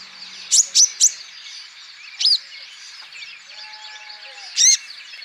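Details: Olive-backed sunbird, a male of the green Natuna type, singing to prompt other birds: three quick sharp high chips, a lone slurred note, then one final chip after a quiet stretch of faint twitters.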